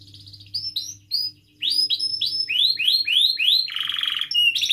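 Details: Captive canary song played as a lure to get young or silent canaries singing: a few separated whistled notes, then quick runs of arched high chirps and a short buzzy rattle, with a faint low hum behind.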